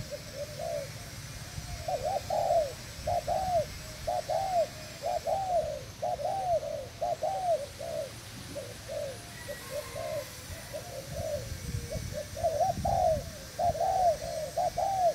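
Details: Decoy spotted dove of Thai breeding, recorded 18 June 2018, coos steadily for a long stretch, phrases of rounded, arching notes repeated about once a second, against low rumbling noise.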